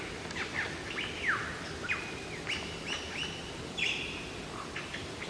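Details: Unseen male Superb Lyrebird giving its mating song in Sherbrooke Forest: loud, varied whistles with sharp downslurs, rising notes and level ringing tones, several per second, over a soft steady forest hiss.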